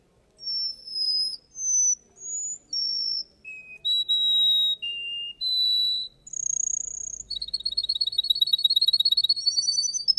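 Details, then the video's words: Russian canary at a singing contest: sustained pure whistles changing pitch step by step, some gently bending, followed by a quick pulsing trill with a faint low hum beneath. "Kontes burung Kenari Rusia"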